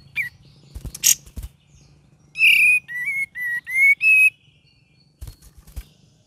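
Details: Singing cream-vented bulbul, lively and varied: a few clicks and chips, then a string of five bright whistled notes, each wavering slightly and rising at the end.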